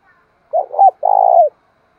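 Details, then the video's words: Spotted dove kept as a decoy, calling to stir up rivals; a wavering double coo then a long purring rolled coo ending in a slight downward slide, low and hollow. "cu gay kich boi nhanh noi gù mới nhất năm 2023/ tieng cu gay kich boi nhanh noi"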